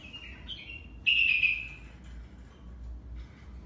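A grey singing finch and yellow-fronted canary hybrid sings a brief phrase of high, thin whistled notes, with one louder, sweet note in the middle and soft chirps after.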